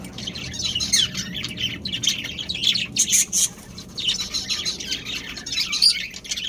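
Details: Budgerigars, a breeding pair and their family, chatter in lively, scratchy chirps and squawks, with dense bursts broken by brief pauses. Several birds seem to call together.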